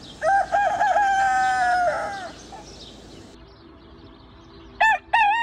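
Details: A rooster gives a long crow that opens with quick wavering notes and holds steadily before tailing off, followed by a pause and two short, bright bursts of a second crow at the end.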